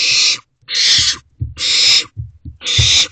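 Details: Owlets in a nest box, heard at night at 3:21 am on May 28, 2023. Four rasping, hissy screeches, each under half a second, follow each other with short gaps and soft knocking sounds between them.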